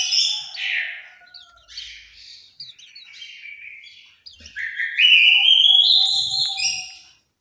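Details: In an aviary at Malang, East Java, an orange-headed thrush gives loud varied whistled phrases that dip, then build into a long bright rising warble; a faint steady low whistle from another bird sits beneath.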